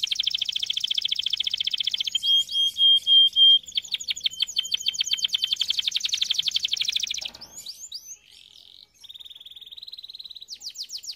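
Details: Canary song used for training canaries: fast buzzy rolling trills, a long pure whistled note near the middle, then brief chirps and a softer steady trill at the end.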